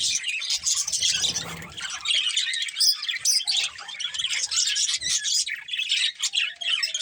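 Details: A breeding pair of pet budgies keeps up busy high chattering, with squawky notes and quick trilled chirps in uneven bursts, and a soft rustle early on.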